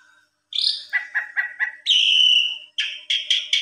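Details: Asian pied starling, agitated and answering a rival, gives loud whistled notes: a short rising note, four quick repeated chirps, one long steady whistle, then four rapid harsher notes.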